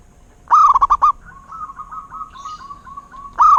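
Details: Perkutut, the local zebra dove, singing a rapid staccato run of coos, then a string of gentler repeated notes, before the next loud rolling phrase begins.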